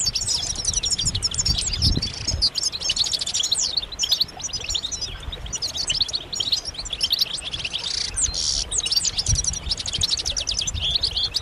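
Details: A flock of European goldfinches giving mating calls meant to prompt males to sing, a continuous bright wash of rapid twittering and buzzy trills, many birds overlapping, with faint low-pitched rumble beneath.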